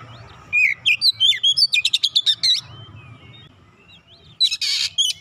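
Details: Oriental magpie-robin song used to coax a silent magpie-robin into full singing: rising whistled notes, then a quick burst of about a dozen sharp, clipped repeated notes, a pause, and a harsh rasping burst near the end.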